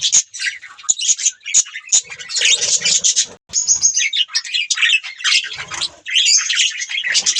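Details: Continuous budgie chatter, rapid high chirps and buzzy warbling notes packed closely together, with short whistled tones and one near-silent gap partway through.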